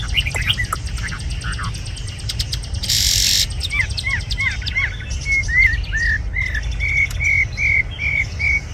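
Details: Caged, tame red-whiskered bulbul: scattered short chirps, then a brief hiss of noise, followed by a lively series of clear whistled notes repeated at a quick, even pace.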